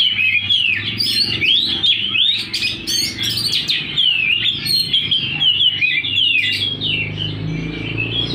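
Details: Oriental magpie-robin singing intensely, tail fanned open, pressing its song until caught in a string: a continuous, rapid, high warbling stream of varied chirps, trills and slurred whistles over a steady low background hum.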